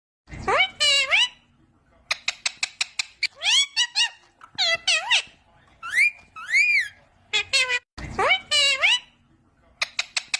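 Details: Non-stop talking parrot: rapid bursts of high, nasal, speech-like syllables with swooping rising and falling tones, some quick clipped chatter, separated by brief pauses and continuing throughout.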